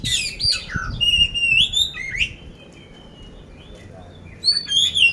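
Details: Oriental magpie-robin of poci type, Magelang, Central Java, in loud rough-filled song: swooping whistles and harsh notes, a pause of about two seconds with faint notes, then whistling resumes.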